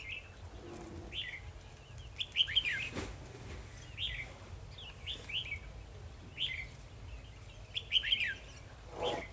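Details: A decoy red-whiskered bulbul sings to challenge rivals at a trap, recorded 2 December 2020. Bright chirping phrases come every second or two over steady low rumble, with a brief thump near three seconds.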